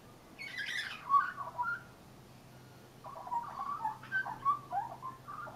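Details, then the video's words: Leucistic young Australian magpie singing from a railing: a bright burst with a high whistled flourish, a quiet pause, then a run of rich warbling, fluting notes. "Australian brown/white magpie singing"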